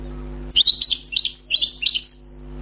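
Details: Wild European goldfinch, freshly trapped, delivers about two seconds of cheerful rapid chirps and buzzy trills in clustered bursts, with a thin held whistle at the end, over a quiet constant hum.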